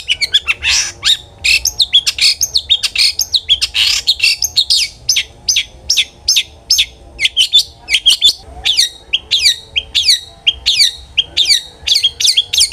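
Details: Long-tailed shrike singing nonstop as bait to get other shrikes singing, a rapid, varied chatter of high chirps, sweeping twitters and short trills with hardly a pause.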